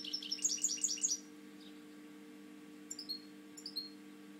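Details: European goldfinch kept in captivity gives a quick run of bright, high twittering notes lasting about a second. After a pause come a few isolated thin chirps, over a constant faint low hum.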